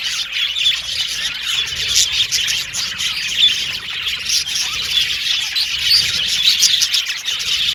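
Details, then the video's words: Several Australian budgerigars chirping happily. Dense, continuous high-pitched tweeting, chattering and short whistled trills overlap without pause throughout, with quick chip notes scattered among the warbling. "Beautiful Cute Budgies Chirping Sound | Australian budgies Singing sound"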